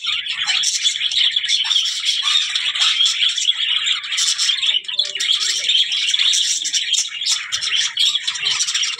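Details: Busy budgerigar twittering, high and rasping, with quick chirps overlapping in a constant stream.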